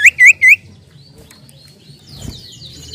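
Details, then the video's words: Common iora (sirtu/cipoh) song used as a lure to attract birds, vigorous 'nyiull nyiull' style: three loud, quick, rising slurred whistles in the first half-second, then only faint distant chirps and a low background hum. "pancingan burung cipoh/sirtu gacor suara nyiull nyiull..."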